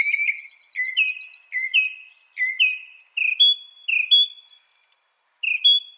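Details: Northern mockingbird song made of short whistled, slurred notes delivered in quick repeated pairs, the phrase shifting higher partway through, with brief high squeaks and soft low chirps between phrases.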